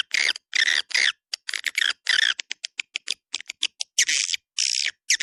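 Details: Attraction call for swiftlets, 'Dua Bidadari' type: harsh buzzy squawks alternate with a rapid series of short, sharp clicks and ticks.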